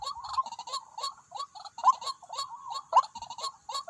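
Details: White-breasted waterhens, two drawn to a decoy trapping spot, giving quick, choppy croaking notes in an uneven run, several per second, over a faint high hiss.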